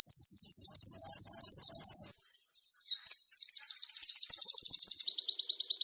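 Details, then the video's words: Clean recording of white-eye song meant to spur caged birds into singing: quick paired high chirps for two seconds, a brief sustained whistle, then a fast accelerating trill of sliding notes, ending in evenly spaced falling chirps. "Terapi Burung Pleci Masteran agar cepat gacor dijamin emosi"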